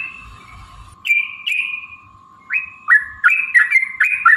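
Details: Yellow-vented bulbul lure song, played to make other bulbuls sing and fight: clear sliding whistled notes starting after a second, then a tighter cluster of bubbly, rising-falling phrases toward the end, above a continuous low steady tone.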